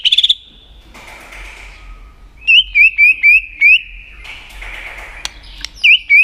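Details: [8, 'White-rumped shama, flicking its tail, singing to provoke competing shamas: a brief high trill, soft rasping noise, then six evenly spaced hooked whistles, more raspy sound, and a closing pair of whistled notes.']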